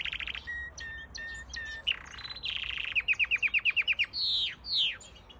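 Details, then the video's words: Canary singing a varied, bright song: short high chirps, a rapid run of evenly repeated sharp notes, then two drawn-out falling whistles, with faint background hiss. "Canary Singing | Canary Bird Song"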